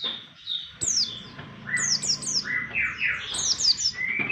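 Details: Oriental white-eye lure sound for trapping birds, a lively run of high descending chirps mixed with lower rising whistles, continuous and varied throughout.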